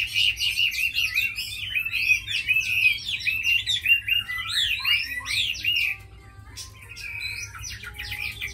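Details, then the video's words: Tame caged Chinese hwamei, described as a strong fighter and fine singer, delivering a fast, rich run of warbled, slurred whistles and trills, loud for six seconds before dropping to softer scattered phrases. "Mi thuần đấu tốt hót hay"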